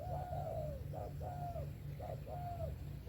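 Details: Spotted dove song: soft mellow coos in short phrases, a brief note followed by a longer drawn-out falling coo, repeated twice, over steady low rumbling background noise.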